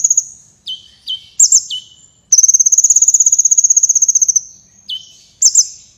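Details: A sunbird in full energetic song for training competition birds: several sharp downslurred whistles, then a sustained two-second trill of fast even pulses, followed by more dropping notes.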